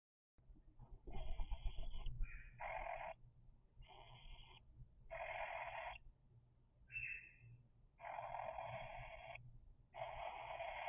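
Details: Three-week-old cockatiel chicks give harsh, rasping begging calls in buzzy bursts of about one second, repeated with short pauses, some with brief rising squeaks between them, over a low indoor hum.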